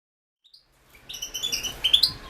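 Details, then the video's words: European goldfinch song entered in a 2016 world championship for goldfinch song, held over the internet. Near-silence for almost a second, then a quick burst of high twittering and metallic chirps that grows louder toward the end. "Pesma štiglića"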